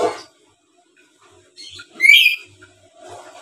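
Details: Black-capped lory, a tame chattering bird, letting out one loud, shrill, warbling squeal between faint rustles and a soft low grumble.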